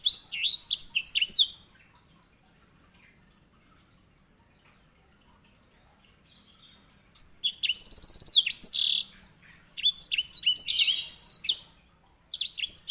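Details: Master song of the white-rumped seedeater, or edel sanger, used to train canaries. Dense, high, tumbling twitters and a rapid trill come in three bouts separated by long quiet gaps.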